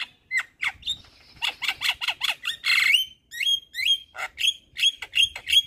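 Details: Javan myna singing to set other mynas off: a busy run of harsh squawks and chattering notes mixed with short rising whistles, delivered in quick bursts.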